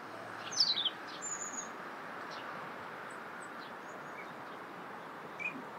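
A common kingfisher gives a thin, very high whistle, with a quick descending burst of shrill notes just before it, over a steady rushing background hiss.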